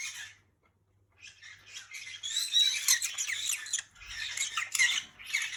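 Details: Green-cheeked conures kept as pets chattering together in a conure chorus: a short high squawk, a brief pause, then a loud, busy stream of shrill, rasping chatter notes rising and falling in rapid succession.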